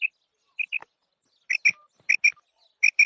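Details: Female quail (batair) giving high paired chirps at uneven intervals, some pairs followed by a brief lower sliding note; clean, quiet background with no other clear sounds.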